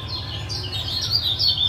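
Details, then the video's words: Lemon-bellied white-eye from Lombok, male, calls used to prompt a silent caged male to sing: a brief run of thin, high chirps wavering up and down, over a steady low hum. "Masteran Ampuh Ciak Jos Kecial Kuning"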